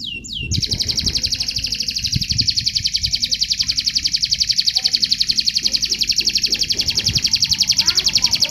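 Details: Canary contest training song: a long, even, rapid trill of high buzzy notes, about four per second, held steadily for the whole stretch after a short rising slur at the start.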